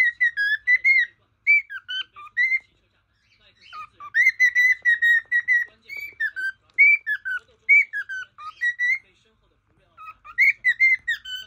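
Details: Pet male cockatiel singing to his portrait: phrases of clear whistled notes that dip and rise, delivered in bursts separated by short pauses.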